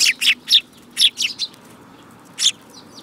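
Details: A group of sparrows recorded on 10 June 2018, giving loud, bright, high-pitched chirps in an uneven rapid series of about two per second, then a pause and one more chirp.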